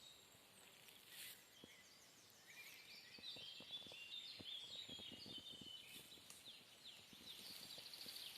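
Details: Several birds singing on a foggy morning in a mixed planted woodland in Donbass, 12 June 2021: high, quick twittering and whistled phrases overlap throughout, with soft low clicks and drips beneath.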